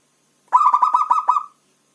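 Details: Local zebra dove, called perkutut, noted as a lively caller, delivers one burst of about seven rapid, evenly spaced cooing notes lasting roughly a second, on a quiet background.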